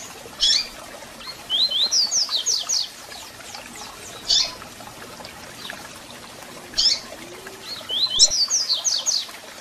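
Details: Double-collared seedeater song with call notes, played to excite a caged bird: single sharp chips at intervals between two rapid bursts of high, quickly repeated down-slurred whistles, continuous faint hiss.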